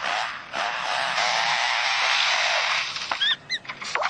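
A lyrebird mimics a chainsaw with a steady, harsh, roaring buzz for three seconds, then gives a few quick clicks and rising whistled chirps.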